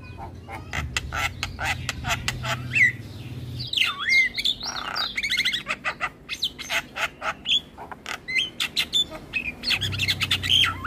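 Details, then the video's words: Long Asian pied starling song from a master track meant to encourage captive birds to sing: dense clicking chatter, swooping whistled notes and harsh squawks, over a low background hum at the start and end. "Masteran Jalak Kebo Terpopuler Tayang Setiap Hari Bikn Jalak Makin Gacor"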